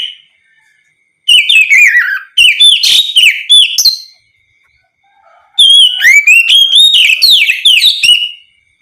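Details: Oriental magpie-robin (kacer) singing a loud, open ngeplong song used to provoke other magpie-robins to answer; two bursts of rich whistled phrases with sliding, falling and rising notes, separated by a pause of about one and a half seconds.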